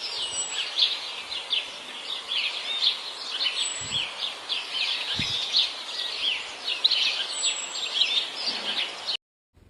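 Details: Goldfinch out in nature with a steady, dense chatter of high, scratchy twittering notes that runs almost without a break for about nine seconds, then stops abruptly.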